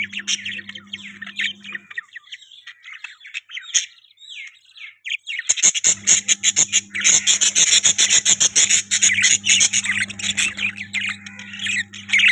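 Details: Chirping budgie, starting with scattered scratchy notes, then a near-silent pause, then a dense, fast stream of buzzy chirps and warbles repeated several times a second, with a low steady hum underneath.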